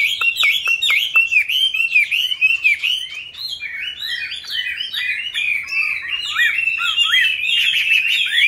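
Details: Caged Chinese hwamei, one of several birds kept since being caught wild and now in their fifth year, singing a fast run of loud, varied whistled notes, with a few sharp downward strokes at the start, then rolling slurred phrases.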